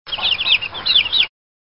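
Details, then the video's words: Chicks peeping: a short burst of high, thin, downslurred peeps in quick succession, clean with no other sounds. "Chicks Peeps"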